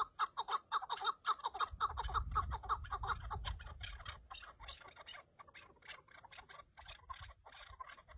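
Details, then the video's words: A chukar partridge gives a run of rhythmic, throaty chuk notes about twice a second, loud at first and then fading and thinning, with a low wind rumble underneath in the middle. "keklik sesi )звук куропатки zvuk kuropatki )صوت الحجل )садои кака sadoi kaka"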